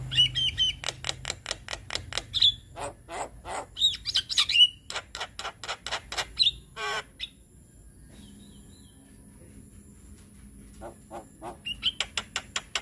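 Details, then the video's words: White-eyed Javan myna song used as a lure to get young mynas singing: rapid runs of harsh clicking pulses broken by short high whistles, a quiet pause, then more fast rattling pulses. "Suara Pancingan Burung Jalak Kebo Muda Biar Cepat GAcor - Jalak Kebo Mata Putih Gacor"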